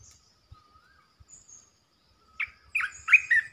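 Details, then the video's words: After a quiet stretch with faint thin whistles, a resident red-eyed bulbul bursts into a short phrase of quick, chattering chirps. "เสียงนกกรงตาแดงEp.219 จ้าวหยกสายเรียก!! เจ้าถิ่นมารำ"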